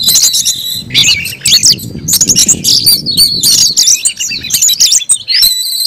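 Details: Caged Oriental magpie-robin in fierce, aggressive fighting song: dense run of varied whistles, rapid slurred notes and harsh bursts, loud and nearly continuous throughout, with some low rumbling background noise.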